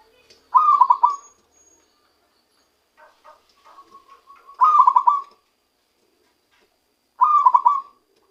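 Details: A zebra dove caught by trapping begins singing its real voice: three phrases of fast, stuttering cooing notes, with soft clicks and a quiet held tone in the gaps.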